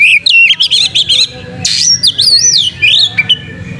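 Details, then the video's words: Caged white-rumped shama singing with its tail opened: loud, clear whistles that wave up and down, a harsh burst, then sweeping looping phrases and a short rising note, with a steady low hum behind. "pancing Kacer gacor buka ekor"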